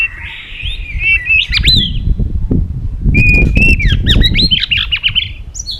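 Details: White-rumped shama singing in a duel: bouncy whistled notes swooping up and down, a steady whistle, then a fast string of varied slurred notes; strong low thumping noise underneath.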